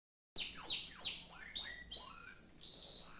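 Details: Caged canary singing a series of fast, steeply falling whistled sweeps that give way to longer rising and level whistled notes, after a brief silent start.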